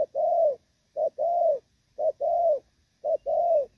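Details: Thổ Pha spotted dove, moulting, cooing cleanly: four couplets, each a short opening note and a longer arched coo, evenly spaced.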